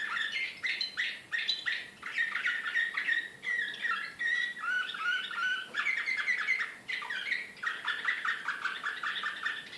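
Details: A Serbian slavujar canary, recorded in Belgrade in 2014, sings a continuous, rich song of rapid trills, rolls and bright whistled phrases, shifting tour after tour with barely a pause.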